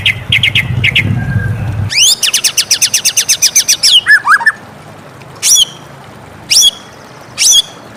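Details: Morning song of a white-rumped shama: a fast series of about fifteen sharp high notes, a few lower slurred whistles, then three spaced shrill bursts, over a low rumbling background early on.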